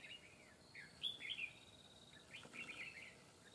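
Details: Red-whiskered bulbul, a wild bird facing a fighting trap, sings a few rapid warbling notes with sliding pitch, then a brief blurred burst, over continuous insect hum.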